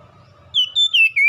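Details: Oriental magpie-robin song meant to prompt a cage bird to answer and sing: a brief run of three or four bright whistled notes, gently falling, after a moment of low hum.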